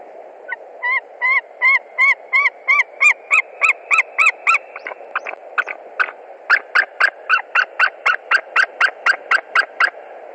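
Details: White-tailed eagle at a nest in Latvia on 20 March 2021, screaming heavily as a stranger, probably a young eagle, lands on a branch. A long fast series of sharp, ringing yelps comes in two bursts over a steady rushing background.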